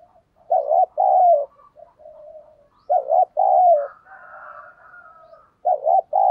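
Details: Cooing of a decoy spotted dove luring wild doves, thổ sấm style. Three hollow phrases, each a quick doubled note and a drawn-out coo. A thinner, higher drawn note overlaps in the middle.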